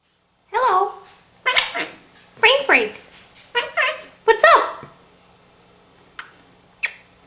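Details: Pet male Quaker parrot (monk parakeet) practising favourite words and phrases: six quick, voice-like syllable bursts with strong sliding harmonics over about five seconds, then two short faint clicks.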